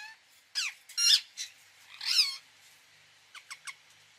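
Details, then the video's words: Indian ringneck parakeet giving raspy, sliding squawks and a harsh screech, followed by three short descending squeaks. "1 hour parrot sound | ringneck"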